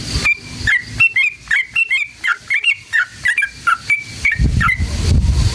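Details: Sooty-headed bulbul in a long, wild-style rapid song (ngalas ropel panjang), used as a lure to provoke other bulbuls into singing. Short whistled notes, some rising and some dropping, repeat about once a second, with low rumbling background noise.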